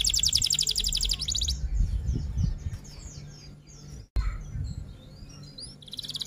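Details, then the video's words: F1 canary singing a high rapid roll, then a jumble of quieter chirps and slurred notes, breaking briefly and resuming with upslurred notes and another fast trill. Low rumbling background. "Kenari F1 Gacor Rol Tembak Top Durasi Panjang"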